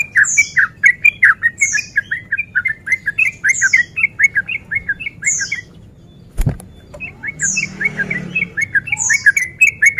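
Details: Male yellow-vented bulbul in breeding condition, used as a lure to provoke rival birds to sing and fight: a busy run of short, bright chattering notes repeated steadily, with high thin descending squeaks over it and a brief pause midway.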